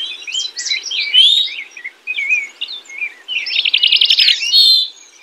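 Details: House wren (Troglodytes aedon) singing during nesting season: bubbly bursts of high twittering and slurred notes, pausing between phrases, ending in a rapid buzzy trill.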